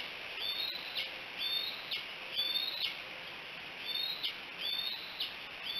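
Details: Bald eagle recorded by the Decorah nest camera, 5 July 2018, late morning, repeating shrill, downward-slurred chirps in loose pairs, about one every half second, over light background hiss.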